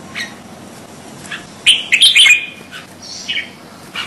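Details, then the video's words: A crested bulbul gives short, bright chirping phrases, with a louder bubbling burst in the middle and fainter notes before and after; the background is otherwise quiet. "Suara Burung Kutilang Jambul"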